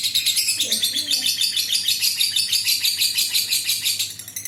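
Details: Adult lovebird in a long ngekek trill, played as a lure to make other lovebirds sing. A rapid, shrill, rattling chatter beats about three times a second, with a soft low sound early on, before fading.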